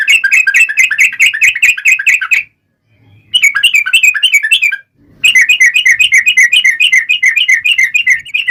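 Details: Fighting song of the yellow-vented bulbul, a long rapid series meant as a lure to make other bulbuls sing back. Dense, fast bubbly chattering runs in three bursts, about four notes a second, broken by two brief silences.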